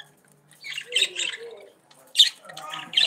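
Budgerigars chattering in bursts of scratchy, squawking warbles with bright chirps, several notes overlapping in quick succession.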